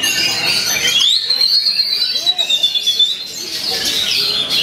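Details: Oriental magpie-robin, a competition bird, singing in a style imitating the white-rumped shama: loud, continuous high whistled phrases with a long sustained sliding note, dense chattering bursts before and after, faint lower sounds underneath.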